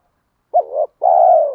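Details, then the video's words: Single spotted dove coo from a training recording for newly caught birds: a sharp hooked onset, a wavering middle phrase, then a prolonged steady coo dropping slightly at the end. Silence around it. "tiếng chim cu gáy luyện bổi và mồi gáy"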